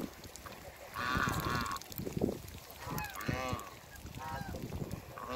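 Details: A pair of African geese on a farm being met by a person: loud nasal honks with rising-falling harmonic bands, one drawn-out call near the start and a shorter pair later, over background rustling and noise.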